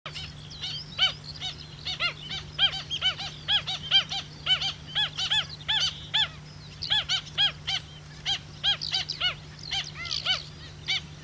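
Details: Pied stilt calling at a roadside pond after rain at Miranda, New Zealand, yapping in quick runs of sharp, nasal notes, several a second, over a steady low hum, with faint chirps from other small birds.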